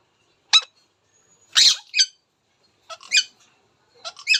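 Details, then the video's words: Indian ringneck parakeet giving harsh, squawky bursts, some single and some in quick pairs, spaced about a second apart in a quiet room. "Indian Ringneck Talking Funny Parrot Sound"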